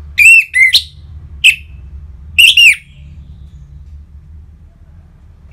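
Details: Orange-headed thrush, a lure to stimulate caged songbirds: loud whistled notes given singly and in pairs with uneven gaps, some ending in a slurred flourish, over a faint low hum.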